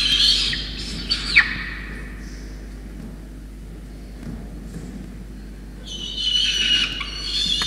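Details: Wild peregrine falcon chick at Orange, New South Wales, Australia, on 5 November 2021, begging as rain-soaked parents bring a wet starling: harsh, rasping screams in bursts at the start and again near the end, with quiet between.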